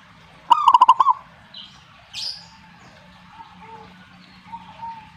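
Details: A single quick phrase of pulsed, rolling cooing notes from a zebra dove answering, followed by faint scattered chirps and a low hum.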